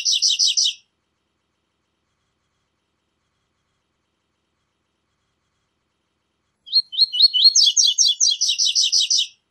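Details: A double-collared seedeater sings its "tui tui zel zel" song: bright, rapid, high twittering phrases of repeated notes, a brief burst, then a longer run after a silent gap.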